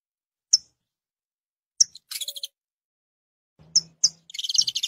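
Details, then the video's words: Two isolated sharp chirps from a saffron finch, each followed by a burst of rapid stuttering trilled notes; a low hum sits briefly beneath the later phrase. "BIRDS CANARY canario da terra"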